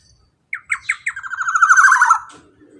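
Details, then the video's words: Black-naped oriole (kepodang) with a long 'ropel' song played to coax non-singing birds. Several harsh descending notes accelerate into a rapid, rasping rattle of over a second, then fade. There is little background noise. "KEPODANG ROPEEELL PANJANG"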